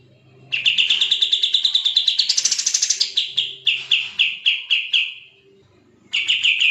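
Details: Bulbul of the kapas tembak type in fast, tightly packed 'gacor speed rapat' song, kept as a training track for murai batu, cucak ijo and kacer: a long run of quick, evenly spaced chirps climbing into a higher buzzy stretch, then slower separated notes.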